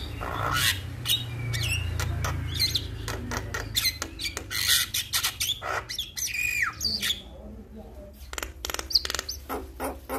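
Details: Male Javan myna calling to other mynas: a busy mix of harsh squawks, rattles, clicks and rising squeaky whistles, loud and varied, over a low background rumble.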